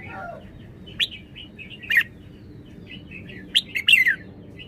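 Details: Red-whiskered bulbul singing sharp chirped notes at about one and two seconds, then a rapid run of three or four slurred, falling whistles, with soft warbled murmurs between and faint low background noise.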